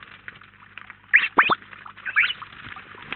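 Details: At a garden feeder in Collado Villalba, Spain, a flock of house sparrows gives sparse chirps, then two sharp loud notes and a rough burst of calls in the middle, over a faint low hum.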